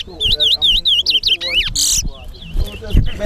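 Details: Chestnut-bellied seed finch (towa towa) in a bird singing competition at Guyana National Stadium, singing quick, high, warbling whistles that rise and fall in a rapid rolling series, with a buzzy burst midway; crowd voices murmur underneath.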